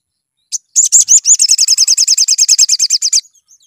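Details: Sunbird song used as a lure to get birds singing: a rapid, high, sharp trill of about twenty slurred notes lasting under three seconds, preceded by a single short chirp, with no other sounds.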